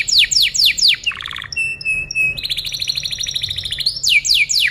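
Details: Canary singing as tutoring material for other birds, with rapid downward-swooping notes, a low rattling burst, pure high steady tones, a long fast trill, and more swooping notes to finish.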